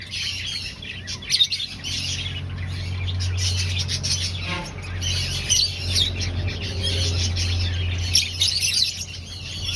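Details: Aviary finches, breeding and seeking a nest, give a busy stream of short, high chirps and twitters throughout, with a steady low hum underneath.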